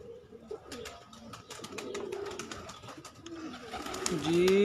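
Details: Pigeons kept as a hobby coo in low, bubbling phrases amid rapid clicks and flaps. A louder, clear rising tone near the end swamps the cooing.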